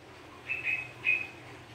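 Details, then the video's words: Sooty-headed bulbul giving a bubbly two-part whistled phrase, a slightly wavering note then a shorter one, over a constant low background hum. "TRUCUKAN GACOR COCOK BUAT PANCINGAN"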